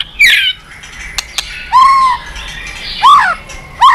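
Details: White-rumped shama singing to provoke other birds: a few widely spaced, rich, downslurred whistles and a sharp squawk, separated by quiet pauses.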